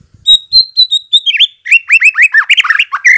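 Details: White-rumped shama singing as a lure to provoke responses: a run of high sustained whistles followed by rapid, varied, loud swooping notes tumbling over one another.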